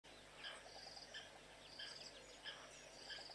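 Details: A male southern masked weaver (Ploceus velatus) gives busy, buzzy chattering, with short scratchy notes and sizzling trills bursting out about every half second over a steady hiss.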